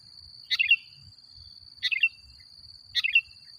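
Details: Sooty-headed bulbul in chatty song, played as a lure to agitate other bulbuls: three short bright chirruping phrases about a second apart over a steady high-pitched whine.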